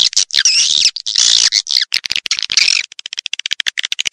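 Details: Swiftlet-house lure recording of edible-nest swiftlets: loud, scratchy, warbling twitters with shifting pitch, ending in a fast run of short, sharp clicks.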